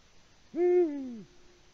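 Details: Male Eurasian eagle-owl in Latvia, hooting on a March evening for a mate with no female answering: a single deep hoot lasting under a second, steady then sliding down at the end, in quiet surroundings.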